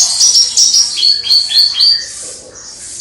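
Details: Javan bush lark in crystal-voiced song, heard from a distance; a short run of high whistled notes dropping into slurred descending phrases, then fading.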